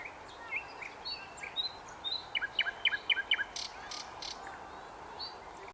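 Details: At Svyatoe Lake (Holy Lake), a nightingale sings thin rising whistles, then a rapid series of about six sharp, downward-sweeping repeated notes, followed by a few faint clicks and quiet rustling.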